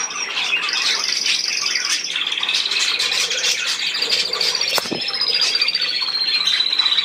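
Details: Budgerigars keep up steady chatter under sustained high whistled tones, with one sharp click or tap partway through.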